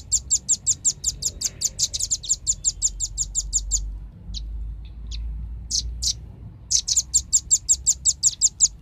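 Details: On a lure recording meant to gather birds, a velvet-fronted nuthatch gives a steady rattling stream of shrill chips, pauses with a few scattered notes, then resumes the rapid even series; light low rumble in the background.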